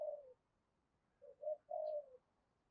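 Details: Spotted dove calling continuously to lure wild doves: a soft coo, then a pause and a short three-note phrase ending in a longer, level coo, over low background hiss.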